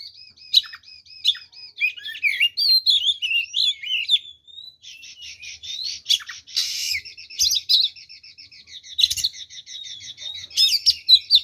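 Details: Provocative fighting song of an oriental magpie-robin: a fast run of repeated ticking notes, then twisting whistles, then a long series of rapid stuttering notes with a harsh burst midway.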